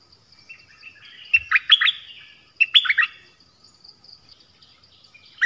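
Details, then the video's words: Nok dok taeng song in the 'pleng berl' style, meant for young birds to learn and copy. Two brief clusters of sharp, sliding whistled notes rise out of faint background chatter, with a thump near the start. "เสียงนกดอกแตงEp.5 Birds sounds เพลงเบิ้ล เปิดให้ลูกนก-ลูกเสอร้องตาม"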